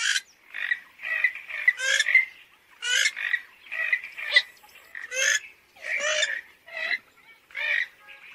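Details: Purple swamphen call used as a trapping lure: a series of harsh, nasal, clucking honks in uneven bursts, roughly one per second, each note rich and coarse, with short gaps between phrases.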